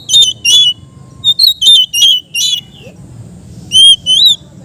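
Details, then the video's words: Captive Oriental magpie-robin in relaxed ngeplong song for training birds: crisp, harmonic-rich whistled notes in short rhythmic bursts, a pause, then two long pure whistles, over a low steady background hum. "suara Kacer ngeplong santai cocok untuk terapi kacer bahan"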